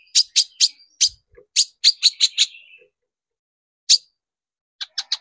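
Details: Long-tailed shrike in a lure made to get shrikes singing: clusters of sharp, buzzy notes, one thin whistled tone, a gap, then more scratchy notes.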